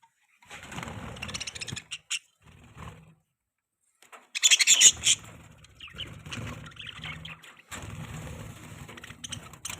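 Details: Budgerigar chirping in bursts of scratchy, high chatter with short pauses, a louder burst near the middle, and a steady low hum underneath.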